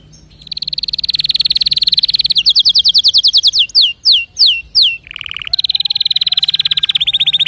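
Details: Loud canary song played so other canaries will change their singing: long rolling trills, a run of quick descending whistled sweeps, a brief low buzzy trill, then another rapid sustained trill, with a faint low hum underneath.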